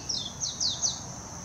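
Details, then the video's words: Brief warbling white-eye phrase, Hashimoto, Wakayama, Japan, 26 June 2021, Nikon Coolpix P900: four quick, high, downward-sweeping notes within a second, then only a steady thin high drone. "メジロ さえずり 姿 鳴き声 warbling white-eye song"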